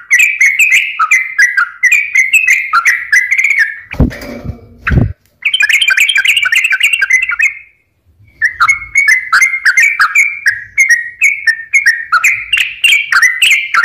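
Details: Sooty-headed bulbul lure song meant to get stressed or silent birds singing: long runs of chirpy whistled phrases, interrupted by a loud broad noisy burst, a pause, then more rapid bubbling notes.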